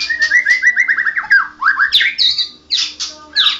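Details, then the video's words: Champion white-rumped shama in rolling ngerol song: a rapid trill of even whistled notes that speeds up, then swooping slurred phrases and bright high sweeps, all loud over a low steady hum. "Burung Murai Batu Juara nasional murai batu ngoceh ngerol gacor"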